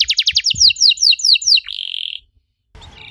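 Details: Canary singing to coax young canaries to respond: quick trilled notes, then paired downslurred phrases, ending in a flat buzzy rattle before a short pause.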